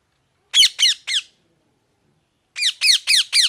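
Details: Three shrill, downward-sliding parrot squawks, a pause of over a second, then four more in a fast, evenly spaced series.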